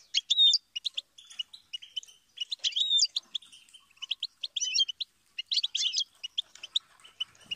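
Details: Goldfinch in full song, a fast medley of high chirps, metallic twitters and short rolling trills coming in repeated phrases.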